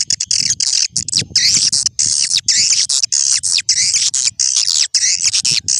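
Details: Swiftlet calls from an old-style lure recording used to attract swiftlets: dense, continuous high chattering twitters and buzzy trills in overlapping bursts, with brief gaps between phrases.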